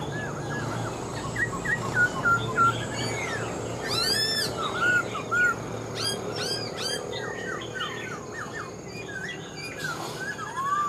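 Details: Old wild-caught Black-throated laughingthrush kept in a cage, known for good singing, delivering a rich run of quick whistled phrases, hooked notes and harsh rasping bursts, varied and overlapping over about ten seconds.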